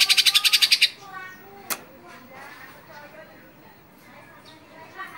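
Sumatran leafbird opens with a loud, fast burst of about nine harsh, high chattering notes, then continues with softer, varied whistles and chips and one sharp click.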